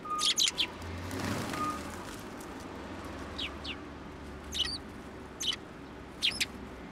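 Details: Sparrows being hand-fed at a Tenmangu shrine, 1 January 2024; a quick cluster of chirps at the start, then a few isolated sharp chirps spaced about a second apart over faint background hum.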